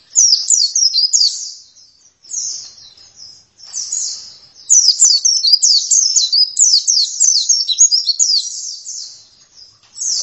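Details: Oriental white-eye (pleci) singing high, rapid twittering phrases broken by brief pauses, then a long unbroken burst of sharp, slurred chirps.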